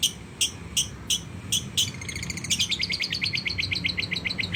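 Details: Long-tailed shrike singing with lovebird mimicry: five evenly spaced sharp broadband chips, then a rapid buzzy train of clicking, rattling notes repeated many times per second, high-pitched throughout over a faint low hum.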